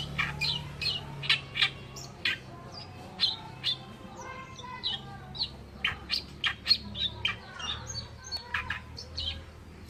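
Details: Oriental reed warbler song used as a master tutor bird, known locally as kerakbasi alis putih: harsh, chattering notes in rapid irregular bursts, repeated every half second or so, over a low steady hum.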